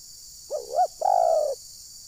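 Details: A single spotted dove decoy phrase from trapping in Desa Satu Ujung Batu, Rokan Hulu: a wavering up-down note, then a long, even coo tapering downward, with a quiet background.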